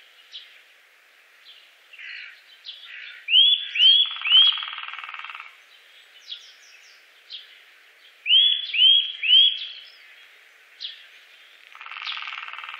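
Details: Eurasian nuthatch in the Wittlich valley, Germany, 2018, giving two bursts of three loud upslurred whistles a few seconds apart, with faint scattered chirps in between.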